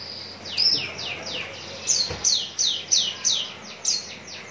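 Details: Contest-ready Javan bush lark from Cikupa, Tangerang, giving a steady series of sharp, high, down-slurred notes, roughly three per second, each one bright and brief, over faint background hiss.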